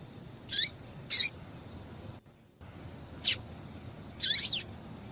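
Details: Female seedeater calling a lot to warm up males into song: high, thin, clipped chips and slurred downward-twisting notes, four separate calls spread over five seconds with a brief silent gap.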